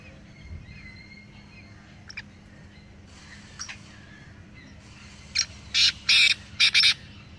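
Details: Black francolin from a group of three, used to encourage a silent pet francolin: faint scattered notes, then one loud grating phrase of four or five quick rasping notes near the end.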